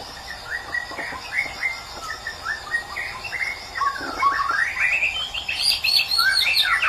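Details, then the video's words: White-rumped shama from Medan singing a fast, varied run of whistled and chirping notes that rise and fall, growing louder and higher toward the end, over a steady high insect-like drone. "Burung Murai Batu Medan"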